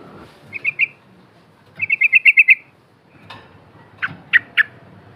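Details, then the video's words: Ngepak ngikluk lure song from a Yellow-vented bulbul: a short trio of chirps, then a quick run of seven bubbly notes, then three harsher, lower, downward chips. "TRUCUK GACOR GARUDA NGEPAK NGIKLUK"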